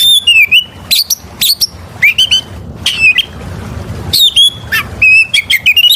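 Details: Oriental magpie-robin song used as a lure to draw other birds: loud, clear whistled phrases mixing sharp upslurred and downslurred notes with short sustained whistles, delivered in rapid bursts separated by brief pauses.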